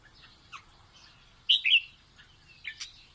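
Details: Red-whiskered bulbul singing to teach chicks: faint scattered chirps, then a loud burst of two or three bright whistled notes mid-clip, followed by a few thinner high chirps near the end.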